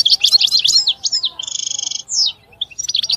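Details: Short burst of European goldfinch song: jumbled high twitters leading into a drawn-out nasal buzzing trill, a descending slur, and a few final chirps.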